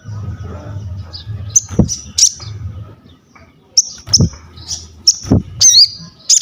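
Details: Crested jay singing, meant as tutor and trigger for other birds: scattered high sharp whistled notes and clicks in small clusters, closing with a twisting slurred call, over a low murmuring background.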